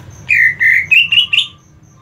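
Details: Greater green leafbird fighting call used for mental training: two long harsh drawn-out notes followed by three shorter rising rasping notes in quick succession.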